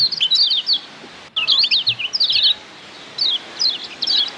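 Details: Lombok white-eye, kecial kuning, singing as a tutor for caged birds: short bursts of high, rapid slurred chirps separated by quiet gaps, three or four phrases in total.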